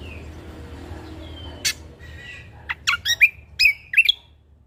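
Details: Lombok Sumatran leafbird singing briskly with natural fill-ins: soft thin whistles open, then a run of sharp, downward-sweeping chirps, several in quick succession, against a faint low background hum.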